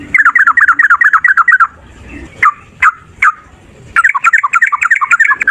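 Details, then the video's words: Yellow-vented bulbul male fighting, song used to set other birds singing: a quick burst of bubbly repeated phrases, three separate slurred notes, then another fast run of chirpy notes. "Trucukan gacor TARUNG ROPEL PANJANG pancingan trucukan agar bunyi jadikan burung trucuk NYAUT"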